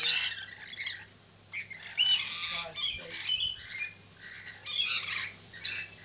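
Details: Lorikeets giving harsh, screechy squawks in bursts, some with brief thin whistled notes, separated by short quiet gaps, with a low steady hum beneath.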